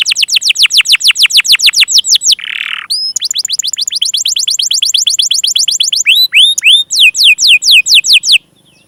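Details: Canary singing to draw young or stalled canaries into song: long runs of quick descending sweeps, a short harsh burst, more sweeping runs, then upward-hooked notes before falling silent.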